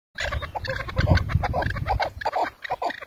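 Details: Chukar partridge calling: a rapid run of harsh, clipped notes, several per second, rising in strength and then tapering with uneven spacing, over a low rumbling background.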